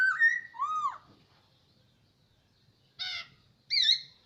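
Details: Kept hwamei of one year in captivity: two rich whistled phrases, one level and one arching, then a pause and two harsher, buzzy notes.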